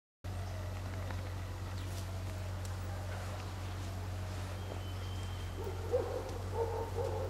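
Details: Inca dove in a garden gives a low, soft two-part coo near the end, over a steady low mechanical hum.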